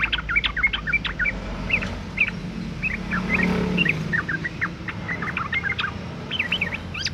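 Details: Female sooty-headed bulbul in breeding condition calling to males, used as a lure to make males sing: clusters of short chirped notes, rising and falling, repeated across the clip over a steady low rumble like passing traffic.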